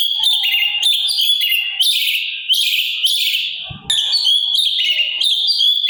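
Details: Sooty-capped babbler singing energetically, a master track for songbirds to copy: loud rich chattering phrases with sweeping high notes, briefly broken by a low thud, then resuming.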